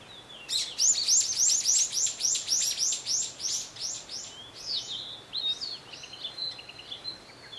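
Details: Narcissus flycatcher near Matsunoyama hot spring, Japan: a fast run of about fifteen bright, high, evenly repeated notes over roughly three seconds, followed by scattered thinner notes and a drawn-out high whistle; faint steady background hiss.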